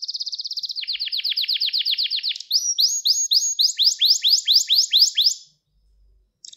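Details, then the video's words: Gloster canary song recorded live as training for young birds and male stimulation: a fast buzzy trill, a roll of falling notes, then spaced rising swoops about twice per second before silence. "Gloster Kanarya Eğitim Sesi Canlı Görüntü | Gloster Kanarya Ötüşü Erkek Huylandırma Ve Kızıştırma"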